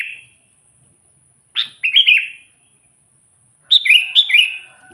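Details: Sooty-headed bulbul singing to call in and rile wild bulbuls: liquid, bubbling phrases of several quick rising and falling notes, spaced by short pauses.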